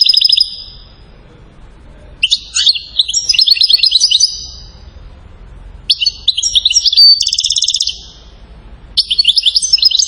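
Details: Song of a European goldfinch from Settat, Morocco, acclaimed as a king of songsters: bursts of fast liquid twitters and buzzy trills separated by short pauses, high and jangling, four phrases.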